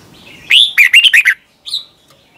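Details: Red-whiskered bulbul in Thailand, a song meant for caged birds to learn: a rising whistled note followed by four quick warbled syllables, then a single short high note.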